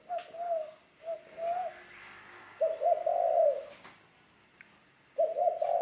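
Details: Newly trained ground decoy spotted dove: two short soft coos, then a long, rough, rolling coo, and the start of another phrase.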